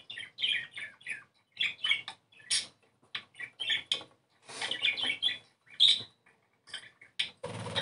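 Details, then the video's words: Budgerigars keep up a busy chattering warble of short scratchy chirps and squeaky notes, bursting every fraction of a second with brief pauses between, song used to stimulate breeding condition. "CANTO PERIQUITO AUSTRALIANO"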